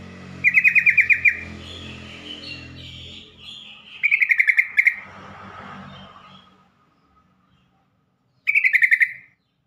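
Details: Yellow-vented bulbul call, a calling sound meant to get quick replies from other bulbuls and help stressed or silent birds start singing: three bursts of rapid, evenly pulsed bright chattering notes, each burst about a second long, separated by quieter twittering.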